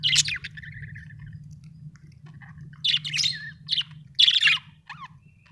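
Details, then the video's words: Budgie chirping: a harsh opening squawk, a short flat whistle, then clustered scratchy chirps and a final downslurred note, over low background hum. "budgie chirping sound"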